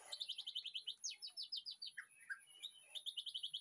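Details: White-rumped shama kept in a home aviary for breeding pours out fast chains of sweet, high, repeated chip-whistles, then lower slurred notes and another quick trilled series, over a constant thin high-pitched hum.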